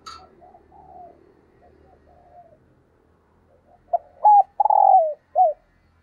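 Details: Spotted dove decoy cooing 'thúc gù' style: faint low coos at first, then a burst of clipped notes, a loud downward-sliding coo and a short hooked final note.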